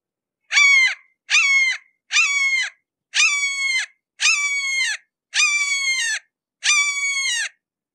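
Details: Seven ringing, down-slurred calls from a red-shouldered hawk at close range, spaced roughly a second apart and growing slightly longer as the series goes on, in otherwise quiet surroundings.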